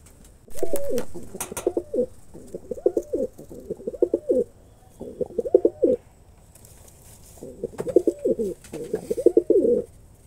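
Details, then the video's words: Male pigeon performing, cooing in repeated rough, rolling bursts of low throbbing coos, each bout lasting under a second with short pauses between, some sharp clicks and faint indoor clatter. "কবুতরের অসাধারণ ডাক"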